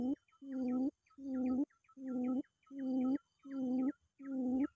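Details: Lure call of a quail seeking a rival: evenly spaced, deep droning hums, each lasting about half a second, with brief higher chirps between them and a faint high background tone.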